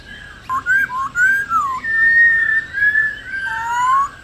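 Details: Mature wild-caught female Black-throated laughingthrush calling to prompt male song: flowing clear whistles, rising and falling slurs joined by a long level note, ending in a low sliding whistle.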